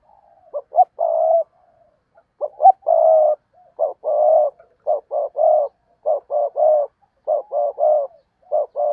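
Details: Spotted dove kept as a decoy to lure wild doves, cooing steadily: about eight phrases, each of one or two short hollow notes followed by a drawn-out low coo, roughly one phrase per second.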